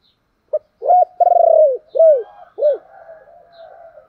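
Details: Spotted dove giving its thổ-style urging call: a short low note, an arched coo, a long trilled croon, then two more arched coos, with faint cooing trailing after.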